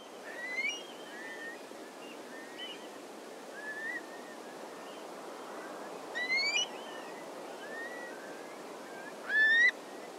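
Eurasian curlew giving clear, rising whistled calls, three loud ones a few seconds apart with fainter answering notes, over a steady rush of surf.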